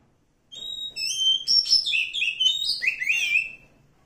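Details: Oriental magpie-robin, wild forest bird, opening with two steady whistled notes, then a rapid jumble of chirps and falling slurred whistles over about three seconds.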